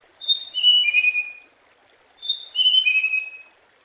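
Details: Scarlet minivet song: two clean whistled phrases, each a quick series of thin notes stepping downward from high to lower pitch, about two seconds apart, with a quiet background.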